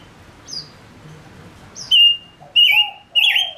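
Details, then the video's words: Decoy male silver-eared mesia singing to attract wild birds. After two thin high notes, three loud drawn-out whistled phrases follow, each with a lower echoing undertone, spaced about half a second apart. "Chim ngũ sắc mồi hót cực hay kích bổi nhanh nổi | chim ngũ sắc hót"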